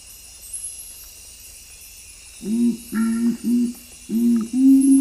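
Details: Low booming song of the strictly nocturnal Nocturnal Curassow, a canopy bird of western Amazonian forest: after quiet, five hollow hooting booms about half a second apart, the first three and last two grouped, above high insect hiss.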